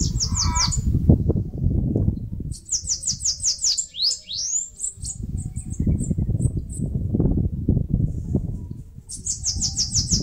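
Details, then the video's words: Bananaquit (caga-sebo) singing near its nest on a mandacaru cactus in northeastern Brazil. Short bursts of very high, rapidly repeated buzzy chirps and upward-sweeping squeaks, separated by pauses, with heavy low rumbling noise between bursts. "CANTO do CAGA-SEBO (SIBITE, CHUPA CAJU..)"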